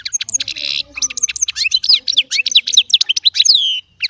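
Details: Baster, a small goldfinch hybrid, pours out goldfinch-style song: a brisk chain of sharp twitters, downslurred whistles and a buzzy note, with faint low sounds behind.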